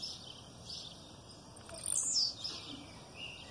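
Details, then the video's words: Aggressive song of a blue-black grassquit, female calls behind it: faint high ticks, then one loud, thin, buzzy note that drops in pitch, followed by quiet background. "Tiziu canto agressivo com piado de fêmea no fundo"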